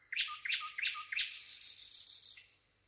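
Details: Nightingale singing four loud sharp repeated notes, then a rapid buzzing high trill of even pulses that fades out.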